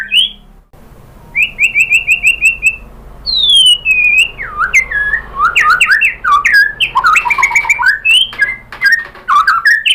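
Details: White-rumped shama song used as a provoking track to make a caged shama answer: a row of repeated even whistles, then swooping descending whistles and tumbling varied phrases with sharp clicks.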